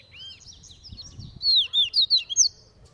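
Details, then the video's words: Double-collared seedeater training outdoors: faint twittering at first, then a clear run of rapid high slurred whistles and chips, about four notes a second, with low background noise. "COLEIRO CAVEIRAO TREINANDO NO SOLTO"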